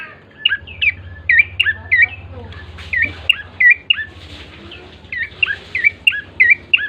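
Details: Bar-winged prinia lure song: bright, hooked chirps repeated in loose groups, with a brief low hum and muffled noise in the middle.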